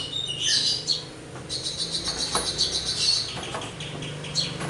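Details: Javan myna singing actively with a full repertoire of material: bright chirps and twittering notes, brief high whistles and a harsh rasping burst, over a faint low hum.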